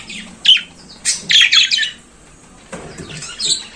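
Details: A few scattered buzzy chirps and scratchy squeaks from a budgerigar singing in the morning, separated by a quiet stretch.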